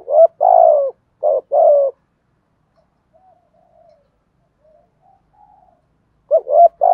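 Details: Spotted dove kept as a decoy, cooing to provoke wild doves: quick low hoots followed by a longer sliding coo, two clusters with a long quiet stretch of faint murmurs between.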